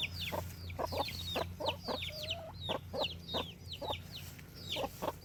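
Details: Farm chickens: repeated short clucks in an uneven rhythm, with a brief drawn-out low note near the middle, over constant high chirping of other birds and a low mechanical hum.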